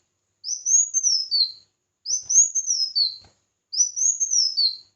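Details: Red-whiskered bulbul in competitive singing: three bright, whistled phrases, each sliding up then falling away in a slurred ending, repeated about every one and a half seconds over a quiet background.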